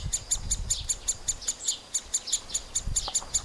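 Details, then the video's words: At a nest cavity where both parents feed them, middle spotted woodpecker young call in a steady run of high, thin squeaks, roughly three each second, accompanied by occasional low thumps and rustles. "Krmení mladých strakapoudů"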